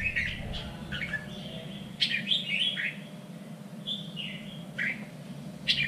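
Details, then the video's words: Red-whiskered bulbul contest-training song heard through noticeable background hiss: repeated bright chirped phrases and downward slurs every second or so. "LUYỆN CHÀO MÀO ĐẤU || GIỌNG CHUẨN 3 MIỀN"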